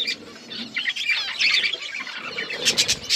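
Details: Pet budgerigars playing together, with quick high chirps and squeaky chatter, a soft flutter of wings, and a burst of sharper calls toward the end.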